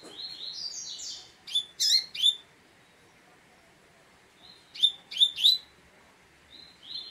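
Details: Double-collared seedeater song: buzzy, descending high notes, then clusters of sharp chirps in two bursts, with short pauses and a faint note trailing at the end.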